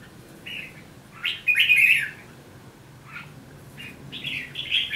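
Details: A Red-whiskered bulbul from Hòa Bình, five days in, offers brief chirps and a loud bubbling warble, then softer scattered notes building to another twittering run, low hum in the background.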